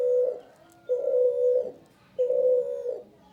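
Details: Male spotted dove cooing steadily: long, even, mellow coos, each under a second, repeated roughly every 1.3 seconds, with faint background noise.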